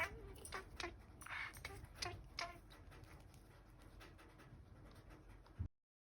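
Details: A budgerigar (Melopsittacus undulatus) chatters in quick, raspy, speech-like bursts of mimicked words.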